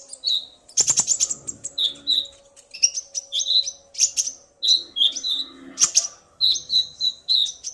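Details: Male common iora excited by a female's call, the pair calling back and forth: repeated short whistled notes and quick chirp clusters, phrases spaced by brief pauses, with an occasional sharp click.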